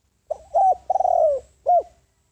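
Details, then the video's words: Spotted dove decoy calling to lure wild doves: a single phrase of soft low coos, a short lead-in note, a long burred rolling coo, then a final clipped coo. "Tiếng Chim Cu Gáy Mồi Đất Gáy Gọi Bổi, Chiêu Bổi"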